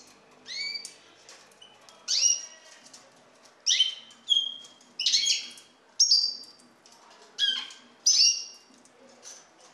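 A Eurasian bullfinch gives short, clear piping whistles, some slurred downward, about eight notes spaced roughly one to two seconds apart over a quiet background.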